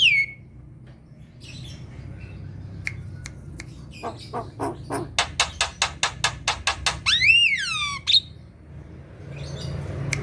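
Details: Black-winged myna kept as a cage bird, singing loudly to provoke lazy birds into song: a high descending whistle, scattered notes, then a fast run of about a dozen sharp clicking notes and a loud rising-falling whistled swoop.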